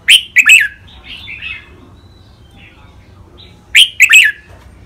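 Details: Caged red-whiskered bulbuls give a training song of the rik, beul, lak wai, mae bot and nap dok styles. Two bursts of quick bright whistled notes, separated by faint scattered warbling.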